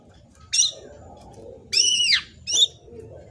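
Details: Young black-naped oriole, kept as a lure bird, giving three harsh rasping nasal calls, the middle one longest and arching downward, separated by short pauses, with faint low background noise.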